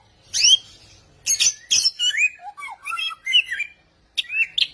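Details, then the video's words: Samyong pouring out many different sounds: sharp high chirps and rasping bursts, then a run of lower mellow whistled notes rising and falling, ending with quick squeaky phrases after a brief pause. "Burung samyong gacor 1001 suara."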